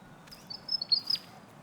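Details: A Willie Wagtail gives a quick run of thin, high chirps and short whistled notes lasting under a second, over a faint outdoor hiss, near a sports field on Bribie Island, Australia.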